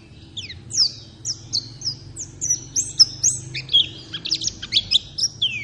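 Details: White-eye song played as a lure to make a pet bird sing: quick run of high, thin, twittering chirps and sweeping whistles, irregularly spaced about two per second, over a faint low background hum.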